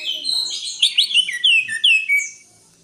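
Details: Greater green leafbird giving a short, energetic phrase of overlapping chirps and clear downward-sliding whistles, ending on a thin fading note.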